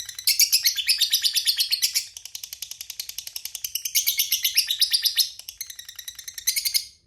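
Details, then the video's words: Long rattling trill from a lovebird, 'ngekek panjang': quick high chattering pulses in extended waves with slight pauses, lasting about seven seconds. "Suara Burung Lovebird Gacor Ngekek Panjang Bikin Labet PANAS Ikut GACOR"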